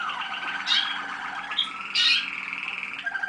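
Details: Waterslager (Malinois) canary song from a 2010 youngster, heard at a 25 November 2010 listening session: rolling sustained trills with two sharp, loud bursts of bubbling notes, then a lower, softer tour near the end.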